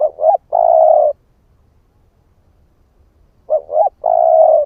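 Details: Spotted dove cock cooing as a lure: a paired double note followed by a long smooth coo, heard twice with a long silent gap between phrases.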